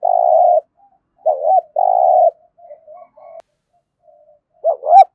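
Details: Spotted dove cooing in competition style (thúc gù), thổ voice, Đồng Nai, Vietnam: a long steady coo, a curved double note, another long coo, soft murmurs, then a sharp rising double note at the end.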